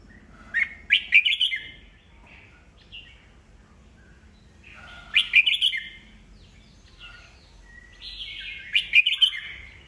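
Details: Caged red-whiskered bulbul caught old in the wild, with 'bọng' singing used to provoke fresh birds into song battles. Three lively warbled phrases come about every four seconds, with short whistles in the pauses.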